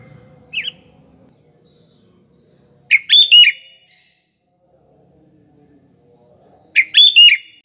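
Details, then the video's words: Sooty-headed bulbul singing as a lure for morning, afternoon and night: a single short note, then two bubbly whistled phrases about four seconds apart, quiet between. "BURUNG KUTILANG GACOR || Coba untuk PANCINGAN PAGI, SORE & MALAM HARi"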